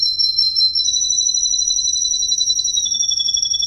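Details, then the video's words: Russian green canary male delivering one long, even rolling trill at high pitch, stepping down a little in pitch near the end, with no other sounds. "Green Canary perfect song"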